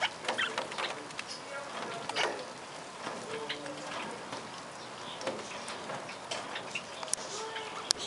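Barred parakeets chatter with soft, overlapping chirps and twitters, plus scattered sharp clicks and a few brief higher squeaks throughout.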